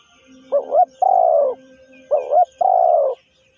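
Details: Spotted dove call used as a decoy lure for bird trapping: two phrases, each a quick hiccuping double note followed by a long, mellow, slightly falling coo. The phrases come about every one and a half seconds, with faint high bird chirps behind.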